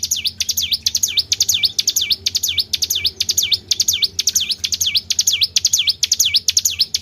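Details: Lure recording of a Tribel bird calling. Loud, steady series of swooping whistled notes, each falling then climbing back, with crisp ticks before each, roughly two per second without pause.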